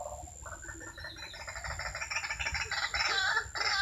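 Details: White-breasted waterhen sound file used as a lure to trap a pair of waterhens with a snare, loudspeaker and decoy. Grating, noisy croaks build into a rapid, increasingly loud and dense series.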